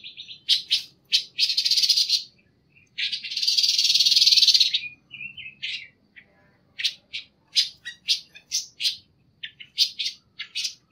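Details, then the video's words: Panca warna singing for masteran training: sharp high chirps about four a second, a long harsh buzzing rattle near the middle, then renewed scattered chirps and short twitters. "masteran suara burung panca warna"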